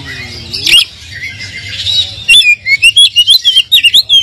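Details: Oriental magpie-robin lure song for a bird lacking fighting spirit: a sharp note, a soft hissy gap with faint whistles, then a fast series of bright, wavering whistled notes.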